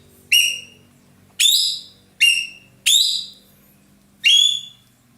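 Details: Loud, melodious roller kept in Indonesia as a song tutor for other birds: five bright whistled notes rising steeply then trailing off, spaced under a second apart, with faint low hum underneath.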